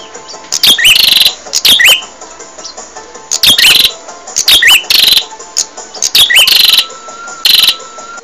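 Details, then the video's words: Training recording for caged birds with a bar-winged prinia singing: short, loud, rasping buzzy phrases repeated at irregular intervals of roughly one second, and faint softer whistles in the background. "Suara Burung Prenjak | Gacor"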